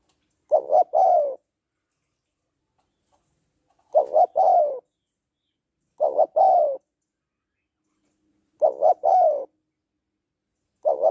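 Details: Female spotted dove cooing to excite a male, five three-note phrases about every two seconds, each a double hoot then a longer falling coo, in a quiet setting.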